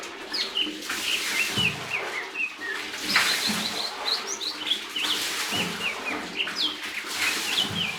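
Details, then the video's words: Lesser green leafbird pouring out a continuous jumble of high chirps, slurred whistles and short trills, with repeated broadband rustling and knocking noises throughout. "Burung Hijau Daun Kecil"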